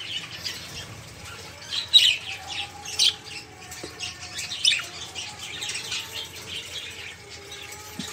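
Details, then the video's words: Busy chatter of caged budgerigars, played to coax stalled songbirds into voice. Rapid high twitters and squeaky notes come in clustered bursts, with a few louder peaks midway through. "Suara Burung Parkit | Parkit Gacor | Pancingan Suara Burung Parkit agar cepat bunyi"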